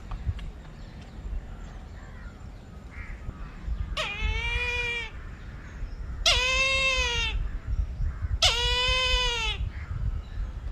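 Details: Brahminy kite giving three long, mewing screams about two seconds apart. Each note is steady, then drops at the end, over a background of low rumbling noise.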